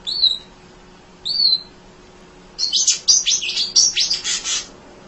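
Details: Munia used as a tutor for other songbirds, chattering without tiring: two separate high thin whistled notes about a second apart, then a dense burst of rapid buzzy chips lasting about two seconds.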